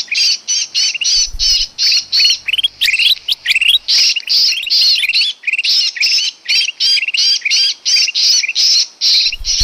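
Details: Bird-trapping lure of sooty-headed bulbul, a long scratchy chorus of squawks with rising chirps under them, repeated about two and a half times a second, with a low rumble near the start.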